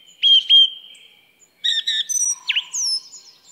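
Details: Song thrush singing two ringing, sustained whistled notes, then a jumble of bright, chattering notes and a sharp, swooping whistle.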